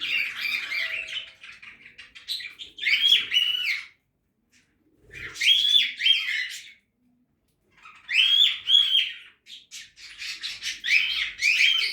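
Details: Budgerigar in a backyard aviary during feeding, warbling in bursts of about two seconds: bright chirps and harsh notes, separated by short silent gaps.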